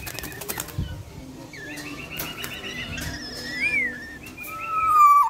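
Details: A black-naped oriole in breeding excitement gives fluty, liquid whistles, ending in a clear falling note, after a burst of wing flutters and clicks at the start.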